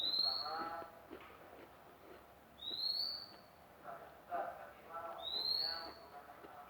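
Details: Newly acquired magpie-robin, kept by a bird keeper, giving a clear, slightly rising whistle near the top of its range, repeated three times roughly every two and a half seconds, over faint murmuring background noise.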